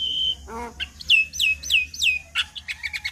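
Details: Javan myna in full song rich in imitations, meant to set other mynas calling back: a steady whistle, a low nasal note, then a series of bright downslurred whistles, then quick twittering chips.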